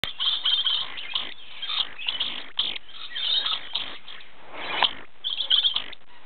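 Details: An orange-phase dusky lory gives harsh, rasping screeches and chattering notes in quick, overlapping bursts, almost without pause for six seconds.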